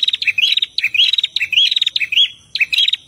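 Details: A pair of prinias, male and female, singing vigorously for use in training captive birds; short bursts of rattling notes and a bright rising trill, four phrases with brief gaps between.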